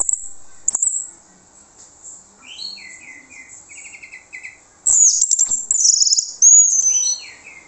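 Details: Orange-headed thrush singing as a lure for other birds to answer: soft repeated slurred whistles, then a loud burst of rapid high chatter and sweeping whistled notes near the end.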